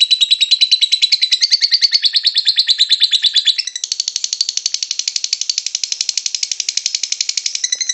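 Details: Lovebird singing in the long ngekek style: a rapid, unbroken chattering trill of sharp, high, scratchy notes that shifts to a denser, brighter pitch about halfway through and keeps going without pause.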